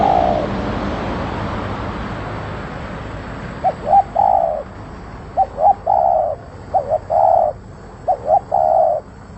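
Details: Spotted dove singing energetically. After several seconds of broad background noise, steady paired coos begin: a brief clipped note, then a longer drawn-out coo, repeated about every one and a half seconds.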